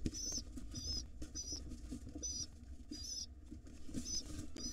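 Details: Feeding-time begging from wild pigeon nestlings as their father arrives in the morning: a series of short, shrill, quavering squeaks, roughly seven in under five seconds, with scuffling and low background hum.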